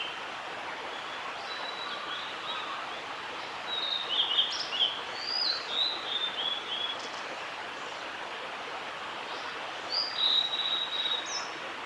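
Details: Blue-and-white flycatcher male singing at Oiso, Kanagawa, Japan, on 11 June 2016: two fairly soft whistled phrases of jerky, wavering notes, several seconds apart, partly masked by a continuous rushing background noise.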